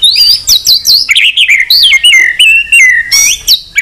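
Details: White-rumped shama in long, fight-provoking song. A rapid flowing series of bright whistled notes, some high and looping, some lower and stepped, barely pausing throughout.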